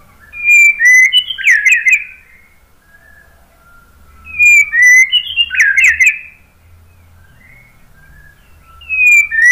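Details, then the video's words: White-rumped shama song used to draw other birds into singing: phrases of clear whistles and rich, tumbling warbles, repeated about every four seconds with quiet gaps between. "KICAUAN MURAI BATU bikin NYAUT ikut BUNYI GACOR NGEPLONG BONGKAR ISIAN ¦ PANCINGAN MURAI"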